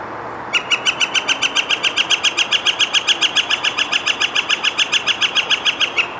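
A Northern Flicker gives a long, even run of loud, sharp kek notes, about five or six a second, level in pitch for nearly six seconds.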